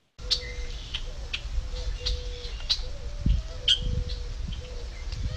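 Red-winged Blackbird giving short, hard 'chek' notes about every half second to second, over a low background rumble and a faint steady hum.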